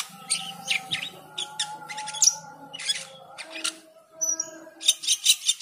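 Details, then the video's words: Cucak keling singing vigorously with a full repertoire during the call to prayer: a lively run of chattering, whistled and buzzy notes with brief pauses, the call to prayer held as long tones beneath. "Cucak keling teler gacor full isian saat mendengar adzan."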